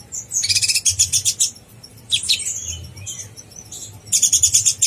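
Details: Fast konin blorok song for contest-bird training: loud shrill trilled burst, then scratchy chatter and a short slurred note, and another intense trill starting at the end.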